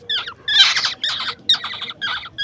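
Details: Young koel and oriole chicks reared at home, fed grasshoppers at night; loud, coarse screechy bursts, each about a third of a second, repeated in a steady pulsing series.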